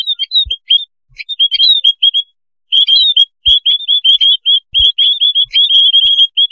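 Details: Lure recording of a noisy white-headed munia colony: sparse high chirps at first, then a short silence, then thick overlapping chatter of thin, rising notes from many birds.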